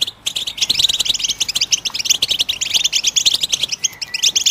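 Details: Goldfinch singing, played to encourage other birds into song: a rapid stream of high liquid twitters and chirps, starting after a brief break and running on unbroken.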